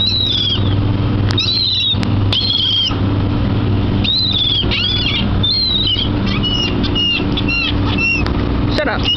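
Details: Many seagulls gathered by the water at a dock, being fed by a person: repeated high, drawn-out mewing calls, some overlapping, with short sharp notes between, over a steady low hum.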